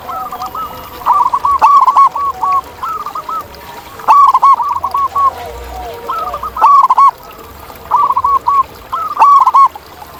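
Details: Zebra dove, a local perkutut singing actively outdoors: repeated phrases of quick, hollow coos, some loud and clipped, others softer and drawn out, overlapping faint calls of other doves.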